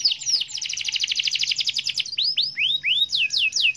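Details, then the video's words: Caged canary singing in a gacor, champion style: a fast rattling trill of rapid repeated notes for two seconds, then a string of loud downward-sweeping whistles, with faint low hum beneath. "Suara burung kenari gacor juara"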